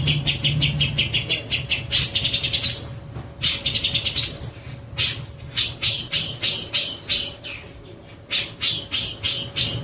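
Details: Long-tailed shrike in kapas tembak singing style, recorded for training: dense rapid chatter of scratchy high notes, then spaced harsh bursts roughly every half second with brief whistled upslurs, a steady electrical hum underneath.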